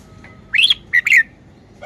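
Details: A red-whiskered bulbul displays its song phrasing, a brief chortled phrase of about four clear whistled notes that swoop up and then fall, with a short extra note at the very end.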